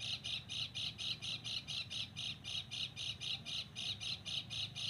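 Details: Sogon bird calling in the mountains, recorded for luring birds; harsh, squawking notes repeated steadily about four times per second, bright and high-pitched, over a faint low rumble.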